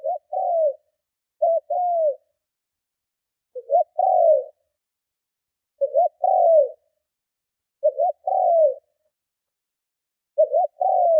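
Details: Strong spotted dove cooing used to lure and provoke rival doves: six repeated phrases roughly every two seconds, each a quick stuttering double note followed by a drawn-out descending coo, no other sounds.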